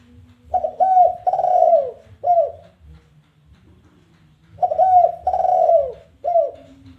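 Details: Challenge call of a spotted dove, played as lure material to make other doves call: soft hooting coos in a stuttered then drawn-out falling pattern, two full phrases separated by a few seconds of quiet.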